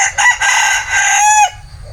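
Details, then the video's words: Bantam rooster crowing: one loud, harsh, harmonic-rich crow of broken segments lasting about a second and a half, closing on a held, slightly wavering tone that drops away abruptly, followed by low background rumble. "Tiếng Gà trống tre gáy"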